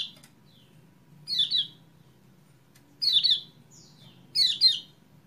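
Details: Kecial kuning (lemon-bellied white-eye) song used to encourage a bird that has stopped singing, dated 28/11/20: three short, high, twittering chirps spaced about every one and a half seconds, faint thin notes between them over quiet background hum.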